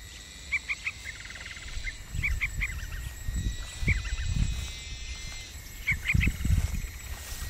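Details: Hungry yellow-vented bulbul chick being fed and cleaned: short, high, chirpy notes in quick clusters of two or three, repeated every couple of seconds, over low rumbling and rustling noise.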